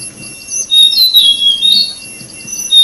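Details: Orange-breasted white-bellied flycatcher chicks being fed by a parent give thin, high chirps in quick bursts over a steady high insect drone; the species nests in the rainy season.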